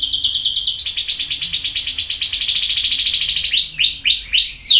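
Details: Lure song of a canary meant to restart a silent bird: a loud fast rolling trill held for several seconds, ending in a few upward-sliding whistled notes.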